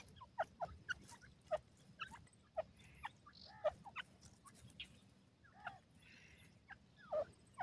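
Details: Francolins (Dakhni and Irani teetar) give loud, short, harsh notes in irregular bursts, several birds seemingly answering one another over a low background rumble.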